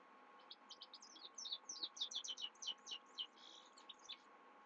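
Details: Himalayan goldfinch singing at night, a fast run of sharp high chirps and downslurred twitters, roughly three to four notes per second, with a constant low hum beneath.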